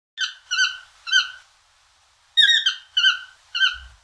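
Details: Toucan calling in two bursts of three squeaky, nasal, harmonic-rich notes, each short and slightly down-slurred, separated by a brief pause; a faint low thump near the end, otherwise quiet.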